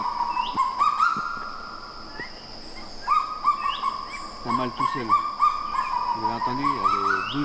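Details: A lone male Kagu singing at first light in New Caledonia, male phrases of about 12 syllables; a run of short clear notes near one pitch repeated in quick succession, with a lower barking series late on and faint chirps from other birds over a steady insect hum.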